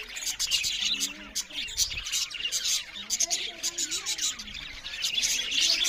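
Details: Budgerigars chirp loudly while eating, producing a continuous high, buzzy chatter with quick twittered notes and occasional louder squeaks from several birds at once.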